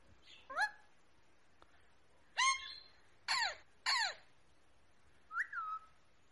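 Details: Rose-ringed parakeet calling in spaced, harsh, down-slurred squawks, four loud ones a second or more apart, then a softer wavering note, over a faint background hiss.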